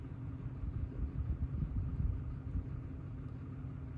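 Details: Deep car and road rumble swells and fades over a low hum, with nothing animal heard.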